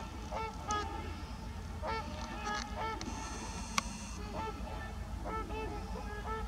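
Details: Trumpeter swans at Heber Springs, Arkansas, heard at moderate distance: scattered brassy honks in small clusters with gaps between, over a steady low rumble and a brief sharp click.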